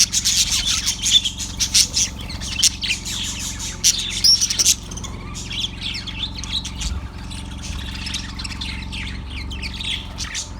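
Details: Yellow budgie chirping on February 18, 2024: an energetic opening burst of loud twittering and whistled squeaks, then softer, quieter chatter continuing over a low steady hum.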